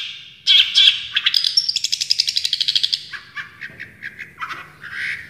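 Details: Champion Long-tailed shrike song in the tembakan style, full of rapid bursts: a loud high chatter, then a fast run of about fifteen evenly spaced sharp notes, followed by lower, rougher repeated chips, with a faint low hum underneath.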